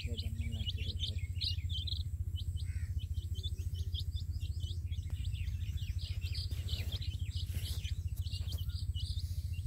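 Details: Several colored chicks with their hen in a field give a busy chorus of high piping peeps, rapid and overlapping, over a strong continuous low rumble and some scattered clicks.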